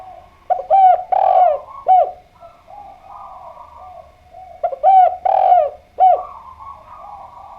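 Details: Spotted dove cooing: two phrases, each a quick run of short, hollow, upward-bending coos with a longer throaty middle note, separated by about three seconds of quiet with a faint low hum.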